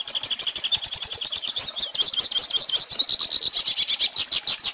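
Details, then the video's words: High, rapid twittering song of a hooded siskin, played so young birds can learn it. Quick notes tumble together in a lively, jingling stream with brief rising trills. "Pintassilgo Cantando Ensine Filhotes!!!"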